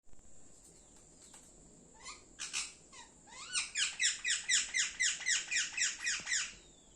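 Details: Pet Indian parrot chirping indoors: a few scattered squeaky notes, then a long, very regular run of bright, rising chirps about four per second, over a constant high electronic whine.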